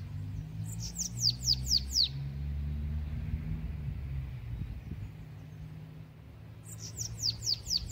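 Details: Bananaquit singing in the song style called belga: a quick burst of five thin, high, downward-sliding notes, a long pause, then another similar burst, over a steady low hum.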